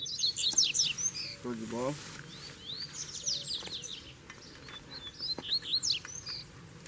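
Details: Double-collared seedeater song as a wild bird responds to a caged one: rapid high, sweeping whistled notes and trills in short bursts, with a brief burst of human speech partway through and low background noise.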